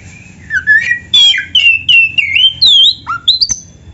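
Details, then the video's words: Oriental magpie-robin (kacer) singing a lively 'gacor full isian' tutor song used for training songbirds: a quick series of varied clear whistles, some sliding down and others rising sharply, with short gaps between phrases. "Suara Burung Kacer yang cocok untuk Latihan kicau"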